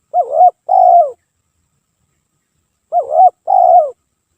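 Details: Two phrases from a spotted dove used as a lure, about three seconds apart. Each begins with a brief coo that dips and climbs, followed by a longer, rich note sliding downward, over a quiet background.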